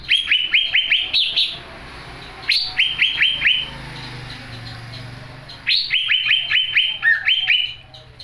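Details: Young greater green leafbird singing vigorously: quick strings of sharp upslurred whistles in several bursts separated by short pauses, with a low hum underneath.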